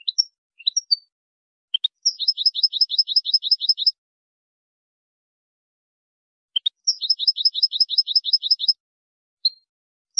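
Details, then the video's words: European goldfinch song in a ten-hour training recording for teaching captive birds: two bursts of rapid, high twittering trills repeated about nine times each, introduced by scattered sharp chirps, on a silent background. "10 ساعات تعليم الحسون أفضل تغريد في العالم بدون أخطاء"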